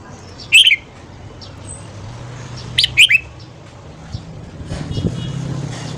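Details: A red-whiskered bulbul in morning song for voice training, stimulating other bulbuls to sing: a sharp two-note whistle, then a three-note phrase about two seconds later, over a low steady hum.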